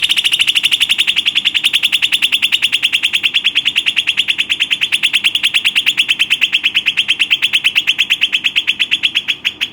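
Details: A pet Western rock nuthatch gives a loud, ringing series of high piping notes, about eight a second, running steadily for ten seconds with no other sounds.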